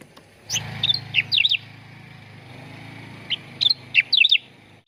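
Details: Cucak ranting, the sooty-headed bulbul, on a training recording used to draw out singing: two bursts of quick bubbly whistled phrases with twisting up-and-down notes, separated by a low engine-like rumble.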